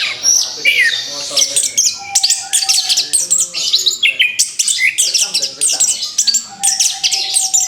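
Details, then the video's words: After moulting, an orange-headed thrush delivers continuous energetic song, rapid staccato chirps and harsh high notes in pulsing phrases, with a soft low whistle recurring. "TERAPI ANIS KEMBANG BARU LEPAS BULU, SIAP BUKA PARUH LAGI"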